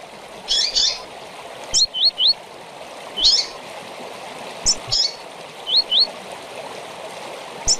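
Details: Song of a double-collared seedeater, tui-tui style with chirps, for teaching young birds: buzzy high chirps and short groups of two or three upslurred whistles, spaced by pauses, with a stream flowing steadily.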